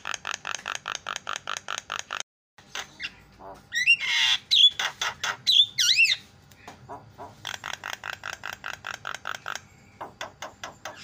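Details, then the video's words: Javan myna producing fast, evenly repeated harsh chattering notes, broken by a few looping whistles, then more rapid rasping bursts, about two per second. "JUARA KICAU JALAK KEBO PALING KRREENN"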